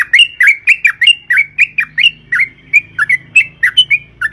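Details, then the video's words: Sooty-headed bulbul singing: a rapid series of bright, slurred whistled notes, each dipping then rising, delivered about four times a second in a steady chattering run, with a faint low hum underneath. "suara burung trucukan gacor"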